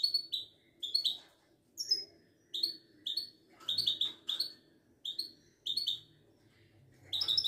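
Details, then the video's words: Caged Moroccan Widani goldfinch repeating brief high twittering notes about every second, with a low background hum and a louder burst at the end. "طائر المقنين الزين او الحسون الويداني"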